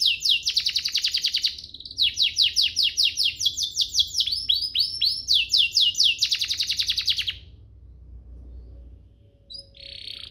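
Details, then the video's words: Canary song in an ornate style, meant as tutor material for young canaries and to spur others to sing: fast buzzy trills and rapid falling chirps for about seven seconds, a pause, then a faint high note. "Cengkoknya MEWAH, Efektif buat Masteran kenari paud dan pancingan kenari biar gacor"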